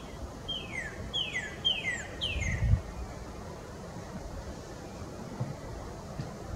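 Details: A male Northern Cardinal sings on a spring morning: four clear, down-slurred whistles in quick succession, each dropping from high to mid pitch, over a low background rumble.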